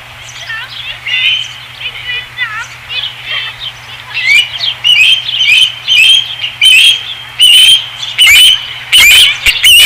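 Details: Osprey at the nest on a ranch, 5 August 2016; quiet chirping that swells into loud, repeated high whistled cheeps roughly every half second, with a flapping burst near the end.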